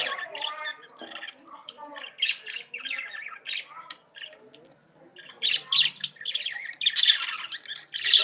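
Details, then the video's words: Budgerigars in a lively warble, running together squeaks, clicks and harsh chirps, with a brief lull midway before the chattering swells again louder. "CANTO DE PERIQUITOS-AUSTRALIANOS"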